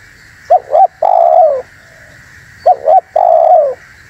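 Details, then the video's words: Spotted dove calling to lure and excite wild doves, two identical phrases: a pair of short rising notes, then a long, full coo falling slightly at the end, about two seconds apart. "SUARA BURUNG TEKUKUR UNTUK PIKAT DAN PANCINGAN"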